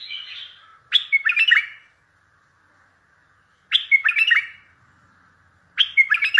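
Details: Powerful bulbul song used for trapping, to get other bulbuls to respond. Three separate bubbling phrases, each a quick tumble of chirps, sound about every two and a half seconds with silence between.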